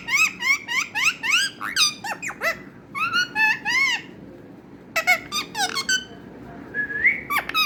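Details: Talking parrot delivering clusters of squeaky, curving harmonic notes, a quiet gap, then more sharp syllables and a final rising whistle.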